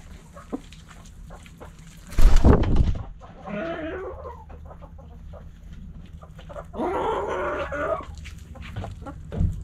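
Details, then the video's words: Backyard chickens give harsh, noisy, drawn-out calls of about a second each, one near the middle and one later. A sharp loud bang comes earlier, with a low rumble and faint clucks throughout. "Hens Clucking Roosters Crowing"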